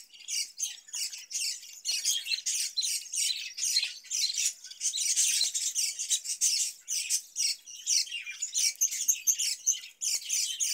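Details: Caged budgerigars, given cucumber during hot summer weather, fill the air with a dense, continuous chatter of overlapping high chirps and scratchy warbles, several birds calling at once without pause.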